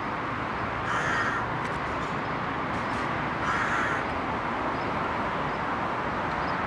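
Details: Rook, a fledgling kept in a park near its parents and family group, gives two harsh, hoarse caws about two and a half seconds apart, over a steady roar of traffic or wind.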